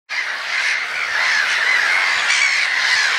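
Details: Gulls calling together in a dense, continuous chorus of harsh squawks with overlapping cries in a steady band, with no pauses across the whole stretch.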